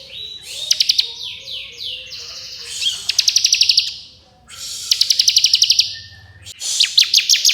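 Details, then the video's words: Dense variable song of a bar-winged prinia in ngebren style: descending slurred whistles, then several fast rattling trills of sharp high ticks, each about a second long. "Ciblek Kristal Ngebren Nembak Variasi Speed Rapat"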